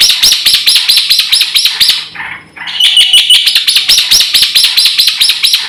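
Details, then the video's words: A black-winged myna delivers full, rich song for lure and training use: an almost unbroken stream of rapid, sharp, high chipping notes, with one brief dip and softer buzzy sound in the middle. "SUARA BURUNG JALAK PUTIH GACOR FULL ISIAN JUARA HEBAT UNTUK PANCINGAN & MASTERAN"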